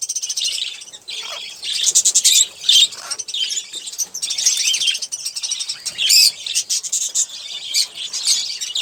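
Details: Single olive-throated parakeet kept as a pet, feeding on sunflower seeds and drinking; continuous high scratchy chirps and twittering notes, some buzzy, rising and falling in loudness, with short sharp clicks scattered through.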